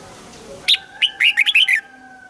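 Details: Trained red-whiskered bulbul at morning practice: one sharp note, then a quick string of about six cheerful, slurred whistles, over a steady low electrical hum.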